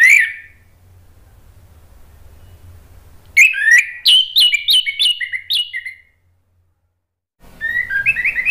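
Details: Lure song of an Orange-headed thrush, meant to make other birds answer: a short whistle, a pause, then a rapid burst of varied chirps and slurred whistles, a brief silence, and another twittering phrase.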